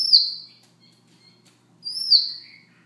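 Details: Soft morning song of a Siberian rubythroat: two loud, clear, high whistled phrases that slide downward, separated by almost two seconds of near silence.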